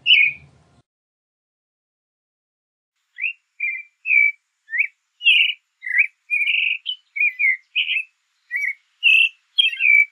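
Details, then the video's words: Creamy-bellied thrush song: after a brief note and a pause of over two seconds, a run of short, varied whistled phrases follows in quick succession, some rising, some falling, delivered almost without break. "Zorzal Chalchalero Canto - Creamy-bellied Thrush Song"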